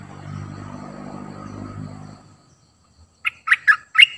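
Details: Decoy cream-vented bulbul giving four quick, bubbly warbled notes near the end, after a stretch of low rumbling background noise that fades to quiet.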